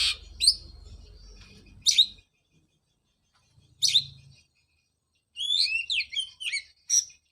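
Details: Oriental magpie-robin song played to stimulate a bird silent after moulting: a few scattered harsh chips and whistles with pauses, ending in a rapid tumbling phrase of bright whistled, slurred notes; faint low hum early on.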